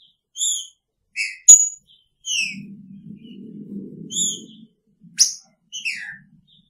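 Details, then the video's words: Green-winged saltator, caged with its female, sings picharro-style whistled phrases of bright, falling notes while a low buzzy murmur runs underneath for a couple of seconds mid-phrase. "Trinca Ferro com sua fêmea!! Picharro"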